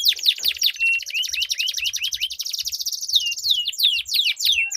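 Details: Duel of two canaries with long rolled song to rouse other canaries: a dense buzzy roll fills the first half, then curving whistled notes repeat quickly, overlapping high chatter.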